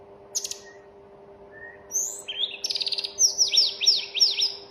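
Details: Tledekan heard as a mountain bird, singing vigorously: a varied run of high chirps, short whistled notes and quick buzzy trills, then a series of rapid descending slurred whistles repeated about twice per second, over a faint steady low hum.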